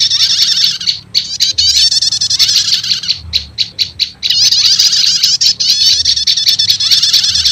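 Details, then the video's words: Prinia lure mix of prenjak lumut with prenjak setater, meant to summon wild birds: loud, dense, high twittering, a short sequence of distinct staccato chips midway, then more continuous scratchy trilling. "Suara Pikat Burung PRENJAK LUMUT Kombinasi Prenjak Setater"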